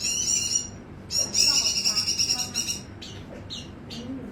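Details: White-eye singing a high, thin, rapid warble in a sustained burst of about a second and a half, followed by a few short separate chirps, over a quiet background.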